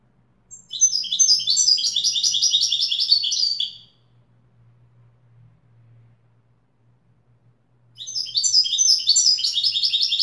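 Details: Wedani-style goldfinch singing a three-second burst of rapid tinkling twitters, then a faint low hum during a pause, before a second fast high phrase begins.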